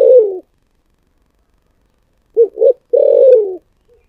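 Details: Spotted dove, 'giọng thổ sấm' style: a long falling coo ends one phrase. After a silence, two short coos and another drawn-out downward coo follow.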